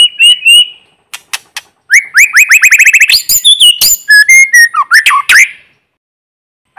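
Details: White-rumped shama, a lure bird singing to stimulate newly caught birds, in forest with no background noise: loud, varied whistled phrases, some rapid repeated notes, sharp clicks and high trills, pausing near the end.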